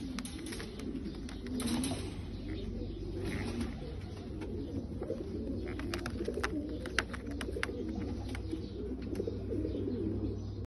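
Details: Indoor Bulgarian Abasi pigeons giving continuous deep rolling coos, several birds overlapping, with scattered knocks and a steady low background hum.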